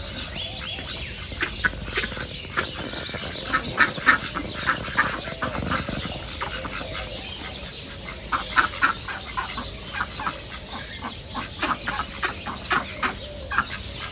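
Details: Many ducks at a nature reserve give sharp, clipped quacking calls in quick irregular bursts, some louder notes standing out over a steady murmur of other calling birds.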